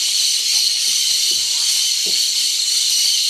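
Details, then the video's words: A massed flock of cobalt-winged parakeets calling at a Yasuni salt lick in Napo, March 2015, an unbroken shrill hiss-like chatter of overlapping voices, with a few soft low thuds in the background. "Cobalt winged Parakeets Yasuni Napo salt lick"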